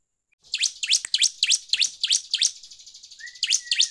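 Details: Bar-winged prinia song used to provoke other birds: a rapid sequence of about eight loud, sweeping chirps, then a drawn-out buzz with a rising whistle, and two more chirps at the end.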